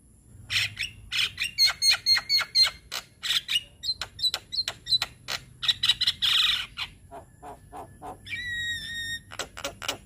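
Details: Young Javan myna singing, a sound meant to spur young birds to sing: long run of sharp clicking notes with short whistled bits, then a harsher rasping passage and layered whistles near the end.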